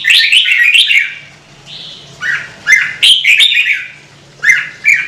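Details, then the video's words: Lively warbling of a red-whiskered bulbul, a Vietnamese cage bird, with a smooth whistle between phrases and a short lull before more bright, quick notes. "CHÀO MÀO | Kích chim nhạy hót - Thúc chim hót hay căng lửa"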